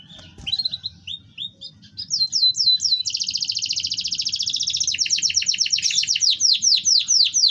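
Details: Canary singing to coax silent birds into song: short whistled notes and upslurs accelerate into a prolonged fast rolling trill, ending in repeated descending chirps, with low rumbling background.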